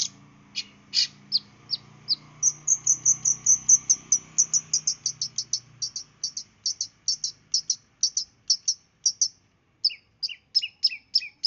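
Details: Long-tailed shrike from East Java singing a rapid burst song used as a lure for other birds: a fast run of sharp high chirps and trills, about 97 notes a minute, with a low hum underneath early on.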